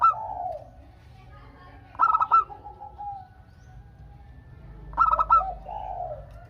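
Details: Vigorous song from a local zebra dove, meant to set other doves calling in reply. Two clipped, bubbling coo phrases arrive three seconds apart, each followed by a softer, lower coo.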